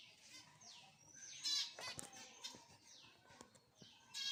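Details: Zebra finches kept for breeding in Jajapur, Odisha, India: repeated downward-sliding nasal calls, about one per second, alternating with louder buzzy harmonic bursts and a few sharp taps.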